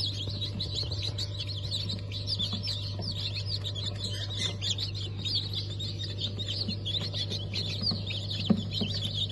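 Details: Newly hatched Cream Legbar, Sultan and Maran Couper chicks, hatched 15 March 2024: a dense wash of high peeping, partly buried under a loud low humming drone and scattered thumps.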